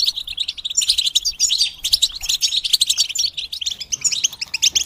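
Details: Many European goldfinches chatter in chorus, a group song meant to encourage birds in moult to sing. The notes are high and tinkling, with fast twitters and buzzy trills overlapping in a steady stream.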